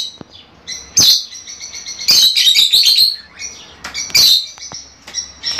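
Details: Fischer's lovebirds calling to encourage mating: loud piercing chirps in clusters about once a second, with softer high twitters between them.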